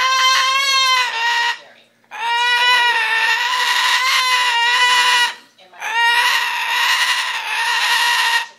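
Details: Indoor pet cockatoo squawking at owners coming into the house, three loud grating screeches of about two to three seconds each with short silent breaks, the first wavering in pitch.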